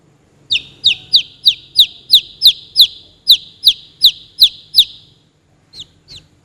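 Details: Chicks peeping: a steady series of about thirteen sharp, high, downward-slurred peeps, roughly three per second, then a short pause and a few fainter peeps, over a low background hum.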